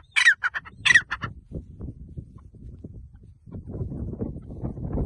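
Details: Grey francolin (teetar) giving two loud, harsh, ringing calls close together in the first second, followed by quieter low rumbling background noise for the rest.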